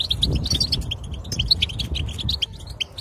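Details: European goldfinch song used to prompt a non-singing goldfinch to start singing; fast liquid twitters and sharp chirps run together in a lively stream, with a steady low background rumble.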